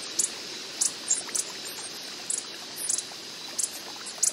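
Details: Coppery-headed emerald hummingbird (Microchera cupreiceps) in the wild gives short, very high, dry chips, about ten in four seconds at an uneven pace, over a steady rushing hiss like running water.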